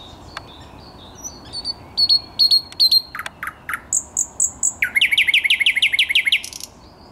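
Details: Thrush nightingale in full song on 10 May 2021: crisp ticking notes building into loud, repeated downslurred whistles, a few deep chopping notes, then a rapid series of about twelve rhythmic, rising pulses.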